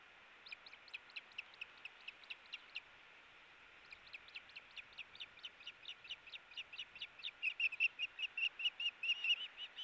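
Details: Ospreys struggling over a fish at their nest, August 4, 2018: even series of thin, high, whistled chirps, a short pause, then a faster run that grows louder and more strident toward the end.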